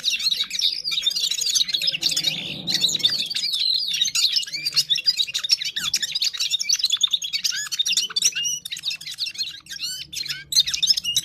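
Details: A Parachinar Gulsar pours out a long, fast warbling song of mixed chirps, clicks and downslurred whistles, nearly continuous, with a soft thud midway.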